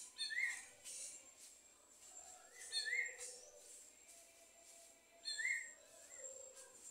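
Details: A wild greyish saltator gives a short, rising whistled phrase three times, about every two and a half seconds, over a steady high insect hiss.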